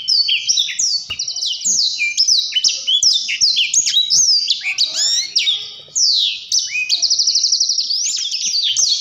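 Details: Blackthroat singing gacor ngerol, a long unbroken rolling song. Strings of high downslurred whistles run on, with brief twittering, and two rapid, evenly pulsed trills come toward the end.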